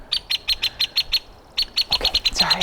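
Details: A Hairy Woodpecker making a ruckus in a tree beside Lake Chelan, North Cascades, Washington, in fine weather: sharp, high peek notes about six per second, a brief pause, then more; lower, rougher sounds overlap near the end.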